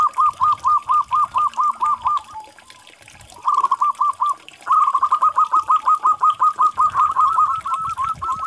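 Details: Local zebra dove: a row of evenly spaced short coos, a pause, a brief quick phrase, then a long faster run of crisp clipped notes on the same mid pitch, over little background noise.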